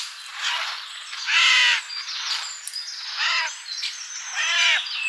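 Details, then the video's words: Birds visiting a garden feeder in summer; three loud, grating caw-like squawks spaced about one and a half seconds apart, each dropping slightly at the end, over soft background twittering. "Nice birdies in summer garden"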